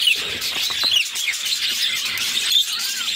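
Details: Budgerigar chicks begging as their mother feeds them, a brood of six; thin, rising and falling squeaky chirps over a steady high raspy chatter.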